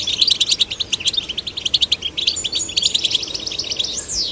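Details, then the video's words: Goldfinch chicks, male and female, kept caged and encouraged to sing: rhythmic bursts of high chirps in quick succession, ending with a long slurred rising-and-falling whistle. "Stimulating male and female goldfinch chicks to sing birds chirping"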